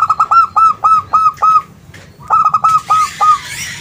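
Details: Local zebra dove singing as a lure to prompt other doves to answer: rapid staggered bursts of short clear cooing notes, a pause, then a second burst, with a brief rustle at the end.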